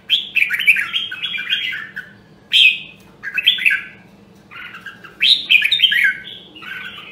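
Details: Caged red-whiskered bulbul, rare Nam Đông Huế voice, singing for voice training: clusters of loud rich warbled notes, each burst about a second long, separated by short gaps, over a steady low background hum.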